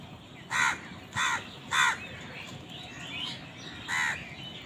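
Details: Crows squabbling over food give harsh, nasal caws: three in quick succession about half a second apart, a pause, then a fourth, over a steady faint background hiss.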